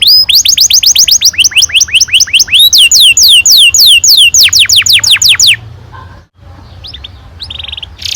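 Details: Long rolling canary song, 'ngerol panjang', used as a lure for young canaries: five seconds of fast repeated falling whistles shifting pitch midway, then an abrupt stop, near silence and faint scattered chirps.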